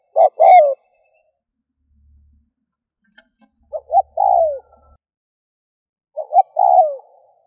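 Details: Spotted dove decoy call meant to draw in wild doves: three clear phrases, each two clipped notes and a longer falling coo, separated by pauses with a faint low rumble and a tiny click.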